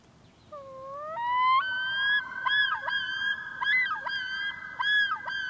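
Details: Common loons on a pond, a mated pair warning a rogue loon that flew into their territory before chasing it off. A low rising wail leads into long, clear harmonic tones. Several voices overlap, broken by quick wavering dips repeated about once a second.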